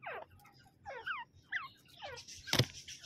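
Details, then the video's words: Male and female teetar, the grey francolin, giving distinct rising-and-falling squealing notes with clear harmonics, spaced at irregular intervals, followed by sharp clattering clicks near the end. "Grey Francolin male and female male teetar voice teetar awaz"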